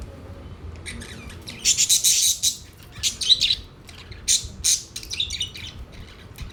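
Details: Pet budgerigars gathered around a food plate chatter in bursts of high, scratchy chirps and squawks, clustered in short loud runs separated by quieter moments.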